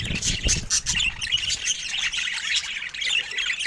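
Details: Pet budgerigars give quick chirps and squawks over steady high warbling chatter, with low knocks in the first second.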